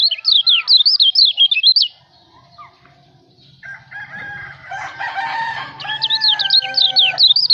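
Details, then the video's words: White-eye (kecial) from Lombok, recorded as tutor song for training songbirds: fast zigzag whistled phrases, high and quickly rising and falling, in two bursts, with lower drawn-out tonal calls from another bird between them and a faint low hum. "Buat masteran kicau burung kecial lombok"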